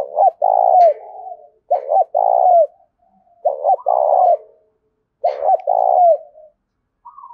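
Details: Spotted dove used as a decoy in the Dong Nai countryside, Vietnam, giving loud rapid cooing to lure wild birds; four low phrases in quick succession, each a clipped double note then a long smooth coo.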